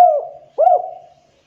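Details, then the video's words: Spotted dove, a tekukur, giving two clear, mellow coos: a falling note, a pause of about half a second, then a short rising-and-falling note that fades slowly. The background is quiet. "Pancingan Suara Tekukur Gacor Suara Jernih"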